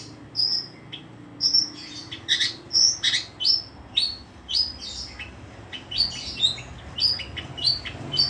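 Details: Vigorous long-tailed shrike song mixing clear high whistled notes with harsher, buzzier chips, delivered in bursts that speed up toward the end.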